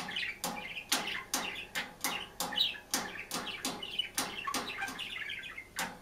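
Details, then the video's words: Green budgerigar alone in a cage, chattering: rapid sharp clicks about every half second over a soft warbling twitter, fairly quiet and indoors. "ПОПУГАЙ ПОЕТ И ЧИРИКАЕТ/ОДИН В КЛЕТКЕ/зеленый попугайчик"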